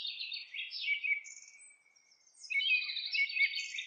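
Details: House wren singing as it builds a nest: a rich gurgling phrase of fast high notes trailing into a thin descending tail, then a second dense chattering burst.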